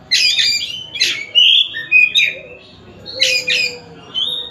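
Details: Oriental magpie-robin from Tasik singing: a chattering burst, a bright sliding whistle, another scratchy burst, then a long steady high whistle fading out.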